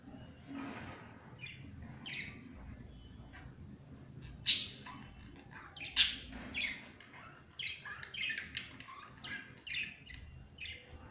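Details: Pet budgerigars playing indoors, giving a busy chatter of short, scratchy chirps and sharp high squawks, with two louder shrill notes standing out midway.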